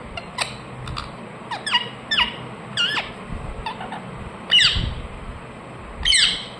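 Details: Ring-necked parakeet kept as a pet, calling in irregular harsh chirps and downward-slurred squawks, quieter at first, then two louder, fuller screeches toward the end over a low steady hum.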